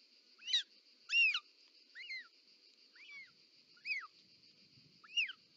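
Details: Short-toed snake eagle nest, Ports natural park, Catalonia, July 2024, mother delivering a snake: six separate rising-and-falling whistled squeals spaced about a second apart, over a steady high hum.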